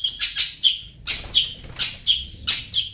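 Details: Long-tailed shrike lure sound for prompting birds to sing: short bursts of harsh, squeaky notes in groups of three or four, separated by brief pauses, over a faint low hum.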